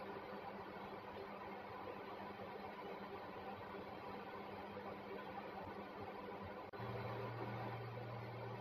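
Quiet electrical hum and room noise, with a click and a shift in the hum near the end, and no animal calls.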